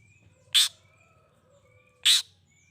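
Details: Long-tailed shrike call for drawing responses from other shrikes: two loud harsh rasps about a second and a half apart, with a faint whistle in between.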